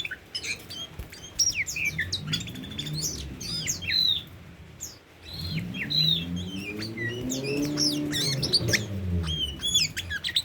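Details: A tame Oriental magpie-robin sings a long sequence of sharp whistles, downslurred notes and chips, while a low wavering engine-like drone rises in the background midway.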